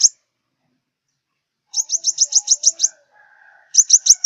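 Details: Sunbird of southern Vietnam, used for glue trapping, giving two bursts of high rapid chips, with faint low whistles and murmuring sounds heard between them.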